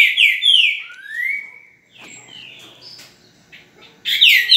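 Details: Green-winged saltator, or trinca-ferro, recorded at 8:05 in the morning on 10 November: loud, clear whistled phrases sliding downward, with a quieter rising whistle in between and a loud phrase returning at the end.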